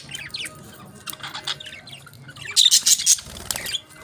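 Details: Budgies enjoying their favourite food make soft warbling twitters, then a loud cluster of harsh squawks with thin whistled tones, then quieter chirps.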